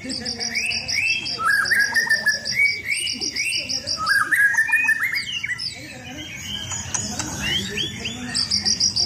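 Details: Captive white-rumped shama being sunbathed ahead of competitions. Fast, varied song of rising whistled notes and rapid high trills, a brief pause midway, then more whistles and chatter.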